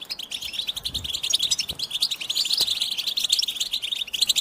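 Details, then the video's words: Goldfinch song aimed at encouraging goldfinches to sing: busy, high chirping and tinkling twitters in quick succession, with occasional sharper, louder notes. "Cute birds chirping to stimulate the goldfinch"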